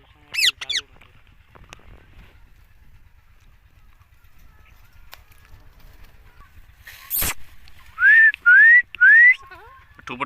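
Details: Green rose-ringed parakeet, a pet talking parrot, saying "mitthu mitthu": a few harsh squawks early, then three loud rising whistled, speech-like phrases about half a second apart near the end, with a clatter midway.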